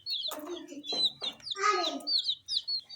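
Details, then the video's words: Small coloured chicks feeding on spicy Sun Poppers snacks: high, thin peeps mixed with louder rustling, crunching and a short lower-pitched sound, in a busy three-second stretch. ""Chicks Chirping" sounds"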